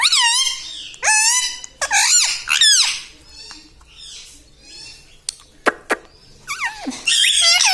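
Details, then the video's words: Tota, a talking parrot said to say "papa mummy". Several loud, wavering, screechy squawks fill the first three seconds, then quieter chatter and a few sharp clicks, and a final burst of harsh squawking closes the clip. "Papa Mummy Bolne Wala Tota - Talking Parrot - Me Tota Me Tota"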